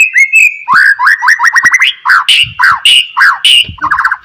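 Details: White-rumped shama in morning song to prompt other shamas: fast repeated slurred whistles forming a rolling rhythmic series, with loud sharp accented notes and some low thumps.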